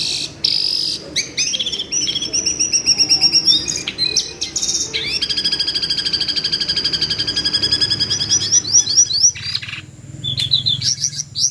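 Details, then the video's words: Jongkangan bird screeching, recorded as training material for competition white-rumped shamas: dense runs of sharp, high, upslurred notes repeated rapidly in long chattering trains, with a brief pause near the end and a faint low hum underneath. "SUARA MENJERIT BURUNG JONGKANGAN"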